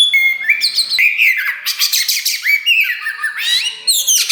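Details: A black kacer wulung magpie-robin with a newly pushed tail sings loudly. A steady clear whistle opens, followed by rising slurred notes and a noisy rasping burst in the middle.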